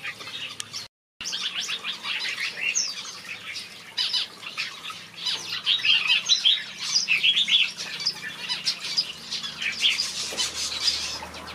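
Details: Finches in a backyard aviary produce rapid, crowded twittering that grows denser and louder toward the end. A short silent gap appears near the start.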